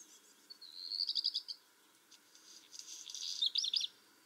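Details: Black redstart song in two high phrases, each a thin whistle leading into rapid rattling pulses, separated by a softer scratchy passage; little else is heard.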